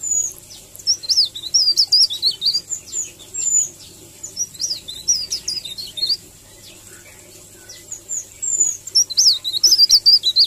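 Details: Tutor recording of a leaf warbler's melodious rolling song: rapid, thin, high twittering phrases of slurred and zigzag notes, about two per second, with one quieter pause midway before the singing resumes.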